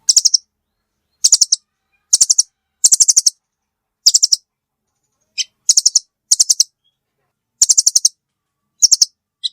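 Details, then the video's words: Velvet-fronted nuthatch calling in tight clusters of three to five hard, high-pitched chips, the clusters spaced about a second apart, with an occasional lone note; no background noise. "suara burung rambatan paruh merah"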